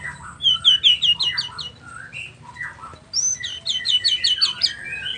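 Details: White-rumped shama of the Nias 'noktah' type, singing in full, busy 'gacor' form with a mimicry-filled song used to provoke other shamas into answering; two bursts of rapid, sharp, high whistled notes mixed with lower slurred whistles.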